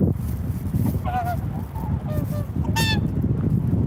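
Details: Swan calls: a few clear, nasal, trumpeting honks, one drawn-out and bending downward, another loud and brief near the end, set against a steady low-pitched background roar.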